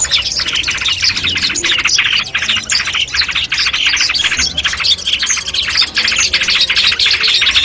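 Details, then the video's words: Long-tailed shrike song for training a bird before a contest: dense, buzzy, rapid chattering in quick pulses, harsh notes running together almost without pause. "masteran kumpulan suara cendet tes mental sebelum lomba"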